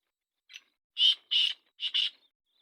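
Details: Calling black francolin from Sindh, Pakistan: one thin lead-in note, then three emphatic grating blasts, the last split into a doubled burst, forming a rhythmic harsh phrase against silence.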